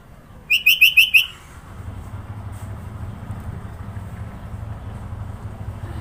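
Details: From Sidoarjo, East Java, a sooty-headed bulbul's varied isian song: five very fast, sharp chipping notes in a rapid burst lasting under a second, then steady low engine-like rumble continuing to the end.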